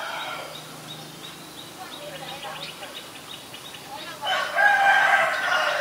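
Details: Black-collared starling recorded 17 April 2022 in Ubon Ratchathani, Thailand: soft scattered chirps at first, then a sudden loud, harsh squawking burst with a bright whistled tone running to the end.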